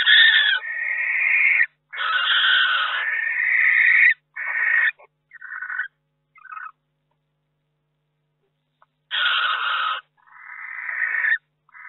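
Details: Barn owl at a nest box in May while eggs hatch and a third owl visits; long, rough screeches repeated in sequence, with shorter clipped rasps and a pause before further harsh shrieks.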